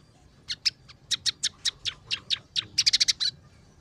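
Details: Chirping song of a scaly-breasted munia: a series of sharp high notes about every quarter second, speeding into a quick burst of five or six bright chirps near the end, background quiet.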